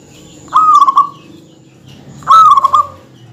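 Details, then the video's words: Song of a local zebra dove in full voice, used to stir up and provoke rivals: two separate short cooing bursts, each a quick run of beaded pulses, about two seconds apart over a quiet background. "suara kutut yang bikin emosi lawan perkutut lokal gacor suara padat menggoda lawan"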